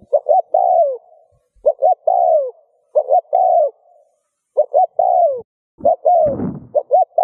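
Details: Cooing spotted dove, used to make other doves coo. Repeated phrases of two short notes and a long descending coo. A loud rough bump breaks in toward the end.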